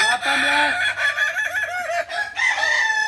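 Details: At a practice contest of balenggek crowing roosters in Ampang Kualo, Solok city, dense overlapping crows fill the air: drawn-out, nasal notes that bend and step, several cocks calling together amid crowd noise.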